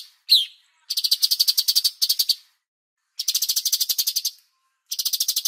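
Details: Bulbul master recording for training songbirds, with pauses: a short rising note, then bursts of dry, buzzy, rapidly pulsed high chatter about a second long, separated by brief silences.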